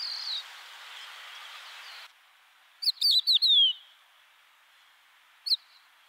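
A crested lark gives a quick run of five clear, fluty whistles sliding downward, then one lone note a couple of seconds later, after a stretch of hiss.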